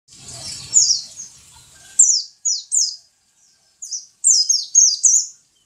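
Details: A pet white-eye, known locally as pleci, sings high, thin, fast twittering phrases of quick down-slurred notes in short bursts, after a low rumbling background noise in the first two seconds.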